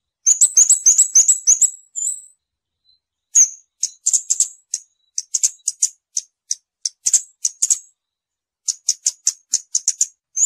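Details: Scarlet-backed flowerpecker song: a rapid high trill, then a long series of thin ticking notes at an uneven, brisk pace, very high-pitched throughout. Nothing else is heard.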